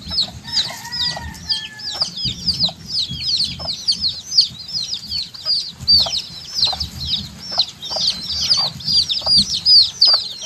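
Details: A flock of baby chicks giving continuous high, piercing downward-curving peeps, many birds overlapping, with a short low whistle-like tone early on and scattered dull knocks underneath.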